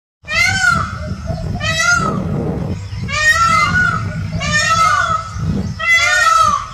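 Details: Pink peafowl giving loud, nasal, meow-like wails, five in about seven seconds, each arching up then down in pitch, over a low background rumble.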